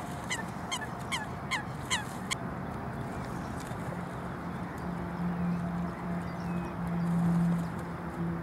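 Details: Coots fighting: a quick burst of six sharp, clipped notes in the first two and a half seconds, then only a steady low hum and broad noise.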